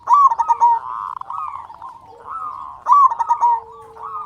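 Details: Local zebra dove with a loud, big voice, singing to stimulate other doves to sing: mellow, warbling coos with a quick rolling trill, then softer low notes, with the phrase beginning again after about three seconds.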